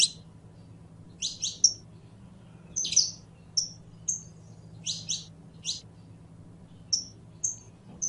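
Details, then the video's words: Saffron finch (Sicalis flaveola), known as canario criollo, in song: paired and tripled piercing chips alternating with brief high whistled notes at roughly one-second intervals, a faint steady hum in the background. "CANTO DE CANARIO CRIOLLO CANTANDO"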